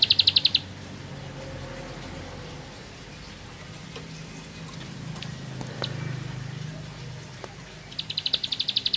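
A prinia gives two short bursts of rapid, high, ticking notes, one at the start and one at the end, separated by quiet low rumble.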